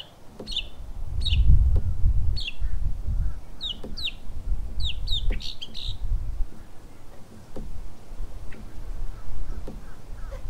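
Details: Florida mockingbird, a Northern mockingbird, in a backyard in the morning, giving bursts of sharp, high chirped notes in quick clusters, then sparser calls, over steady low rumble.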